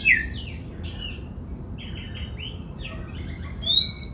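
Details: Oriental magpie-robin song played to set other magpie-robins singing: a sharp whistle, then a varied string of chattery, buzzy and twittering notes, closing with a clear, high, drawn-out whistle.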